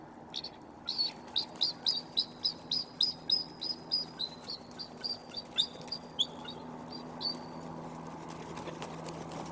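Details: Mated pair of wild bald eagles on their well-worn white pine meeting branch, November 13, 2024. A thin high chittering series of about fifteen quick even notes fades out over a steady low hum.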